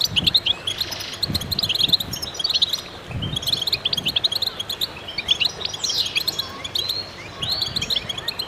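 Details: Chorus of goldfinches with dense, quick chirps and buzzy trills in waves, while scattered low thuds sound underneath during the first half.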